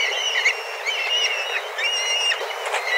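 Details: Dozens of black kites flying about together, calling intensely in search of food. Many whistled and trilling calls overlap into a dense, continuous chorus with no gaps.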